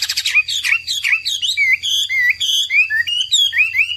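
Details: Energetic hwamei song made of varied rich whistles, slurred notes and quick warbling phrases delivered without pause, with a faint low hum underneath.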